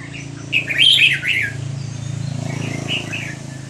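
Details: Red-whiskered bulbul, Burmese type, recorded at Dan Singkhon, delivering a loud rippling whistled phrase followed by a softer echoing one, over a steady low electrical hum.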